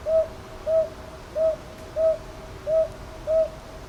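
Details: Six round, medium-pitched hoots in a measured pairwise cadence from a northern boobook, taped on a TASCAM DR-100MKIII at Ichijoji, Sakyo Ward, Kyoto, Japan, on 22 May 2023; background otherwise calm.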